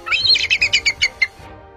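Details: Bald Eagle giving a loud, somewhat shrill, clearly audible call. There are about eight high, thin piping notes, the first slurred and longer, then quick evenly spaced chips that weaken and drop slightly in pitch.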